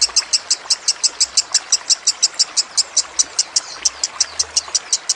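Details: Lovebird training-song recording with trickling water added: a steady series of about 30 high, piercing chirps, roughly six per second, with a faint low hum in places.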